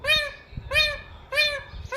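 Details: Talking pet parrot repeating a nasal, arched, harmonic call three times at a steady pace, roughly every 0.6 seconds, between a person's Hindi words telling it to be quiet.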